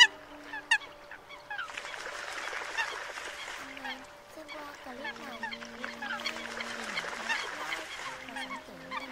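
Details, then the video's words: Dense clamour of Eurasian coots used as a night-netting lure during the 2022 migration season: many short, nasal, honking calls overlapping a little over one a second, over steady low droning tones. "Tiếng Sâm Cầm"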